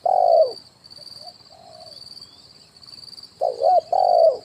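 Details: Spotted dove luring call in kuk 1 style, from branch and ground: a long loud coo, quiet mid-phrase notes, then a wavering coo and another strong sustained coo, under an unbroken high-pitched tone.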